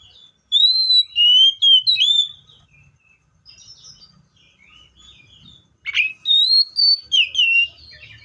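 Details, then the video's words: Seychelles magpie-robin song in two groups of whistled phrases, wavering and descending, with a quiet pause of about three seconds between them. "COPSYCHUS SECHELLARUM BIRDS SOUNDS LIKE IN NATURE LOUD CLEAR SOUNDS"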